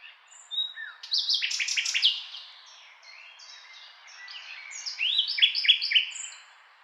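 A nightingale sings rich, varied phrases: a loud burst of rapid, pulsing notes, then a pause and a second run of sweet whistles and trills. The background is quiet.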